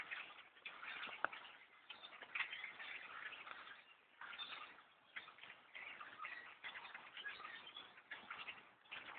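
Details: Huge flock of blackbirds overtaking trees beside a bowhunting stand, countless birds calling at once in a continuous crackling, chattering din with brief louder clicks.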